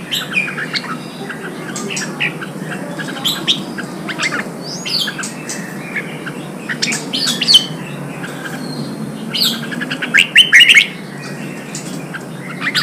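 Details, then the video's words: Red-whiskered bulbul, a wild-caught bird trained to sing in contests, keeps up a long run of chirpy whistled notes and brief warbles, with a louder cluster of rapid notes toward the end, over constant background noise. "Kích chào mào bổi hót, kích bổi sổ giọng, luyện chào mào hót đấu"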